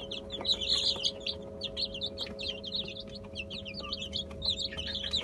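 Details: High, rapid peeping from a group of Brahma chicks busy eating mash of boiled egg and bulgur, the calls tumbling over one another, with clicks of pecking and a humming background.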